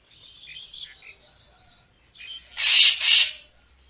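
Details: Racket-tailed treepie call used as a lure for bird photography: thin whistled and buzzy notes around the first two seconds, then a loud pair of harsh, broadband rasping bursts.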